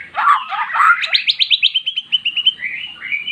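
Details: Previously silent magpie-robin, lured with recorded song of its own kind, giving a rich song: a harsh scratchy opening followed by a quick run of about fifteen short clear notes, slowly descending, ending in a sustained whistle.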